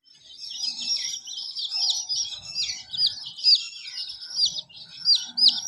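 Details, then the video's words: Hen with colorful chicks: a dense chorus of high, thin chirps from several chicks overlapping, with short downward-sliding peeps standing out near the end and faint low rustling underneath. "Hen chirping sound || Hen colorful Babies"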